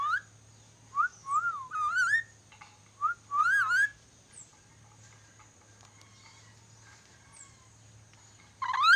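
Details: Ornate lorikeet practising whistles: short upward-slurred whistled notes in quick clusters in the first four seconds, followed by a long quiet stretch and a loud whistle at the end, with a steady low hum.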